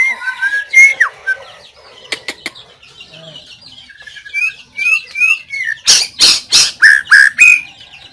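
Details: White-rumped shama, recorded 17 April 2024, giving short whistled phrases and rising slurred notes, ending with a fast run of loud harsh clicking notes mixed with bright whistles.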